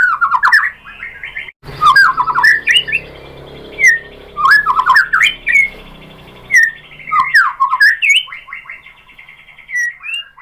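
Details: White-rumped shama singing a lure song meant to provoke other birds into answering, a rich varied run of whistled and chattering phrases, rising and falling notes with sharp clicks, in bursts with short pauses between.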